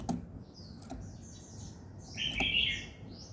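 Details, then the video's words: Birds in the morning give a run of thin high twittering notes ending in a loud buzzy, harsh burst, with two or three sharp taps and soft low hum beneath. "Buổi sáng nghe chim hót chơi"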